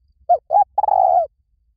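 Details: Spotted dove call, used to lure wild doves: two short hollow coos followed by a longer, rolling, slightly burred coo, mid-pitched and clean against silence.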